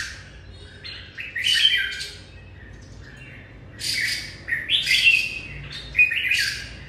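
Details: A red-whiskered bulbul welcoming the new day: grating, squawky bursts interspersed with short bright whistles, arriving in separate groups with quiet gaps between them.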